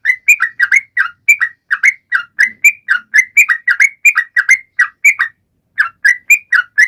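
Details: Sooty-headed bulbul singing energetically to encourage quiet birds to join in: continuous bubbling chains of short whistled notes, one brief gap, then the phrases carry on.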